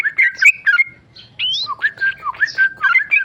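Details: Tame male sooty-headed bulbul in captivity singing varied whistled and squeaky notes: a busy cluster, a short pause, then rising slurs and falling chirps in uneven rhythm over a faint low hum.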